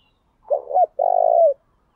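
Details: Decoy spotted dove cooing to attract wild doves; a single clean phrase with two quick hooked notes and then a long, level, vibrating coo that slides down at the finish.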